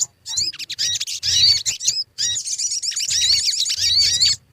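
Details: Sogon (crimson sunbird) lure recording to make birds sing: near-continuous, high, shrill twittering with rising squeaky notes and chatter, one brief pause midway, and soft low thumps underneath.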